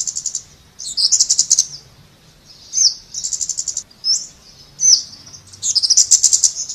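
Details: Scarlet-backed flowerpecker giving very high, thin notes: short rapid buzzy trills alternating with single sharp ticking chips, repeated in bursts about every second or two, with no other clear sounds.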